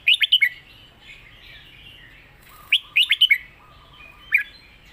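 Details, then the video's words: Red-whiskered bulbul used in song competitions, giving the master song: three lively bursts of fast, ringing, up-and-down notes in quick succession, with a soft lower whistle running beneath. "เสียงดี''สำนวนชัด เพลงแม่บท/นกแข่ง#เสียงนกกรงหัวจุก"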